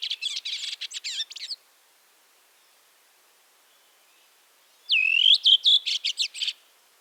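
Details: Singing Redwing: a quick series of buzzy chattering notes. After a silent gap comes a fluted whistle that drops and levels off, then a string of sharp repeated chirps about every quarter second.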